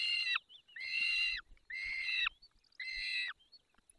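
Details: At a peregrine falcon feeding in the Barycz Valley, 20 May 2021, 10:22, four steady harmonic wails, each slurring down at its close, repeat about once a second.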